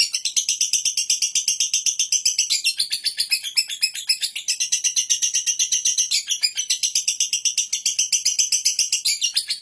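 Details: Long, unbroken lovebird ngekek: a piercing, gritty trill of quick repeated pulses, very even in rhythm, holding at full strength for nearly ten seconds.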